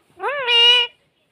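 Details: Pet talking parrot imitating a cat's meow: one drawn-out, nasal meow lasting under a second, rising at the start and then holding steady before stopping abruptly, with a quiet background.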